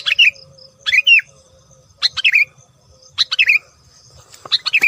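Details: Sooty-headed bulbul singing loudly to lure other birds: short slurred whistled phrases, each dipping then rising, repeated about once a second, over a faint steady low hum.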